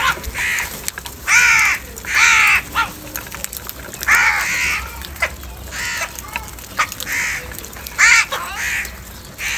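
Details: Several crows quarrel over food in the morning, giving a run of about eight harsh caws, loud and soft mixed, some in quick pairs, over nearly ten seconds.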